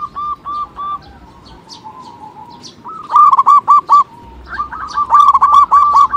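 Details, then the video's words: Local zebra dove calling as a lure to set off other birds: a few soft, spaced notes, then a loud, rapid stutter of hooked cooing notes and a second dense run at the end. "pancingan perkutut lokal"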